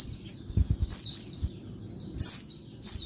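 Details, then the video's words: Noisy midday calls of a female Oriental white-eye (pleci), used to stir males into singing: high, slurred, falling chirps given in short groups of two or three, over faint low-pitched background noise. "Bird Pleci Betina Suara Ribut bikin Bird Jantan Gacor (siang)"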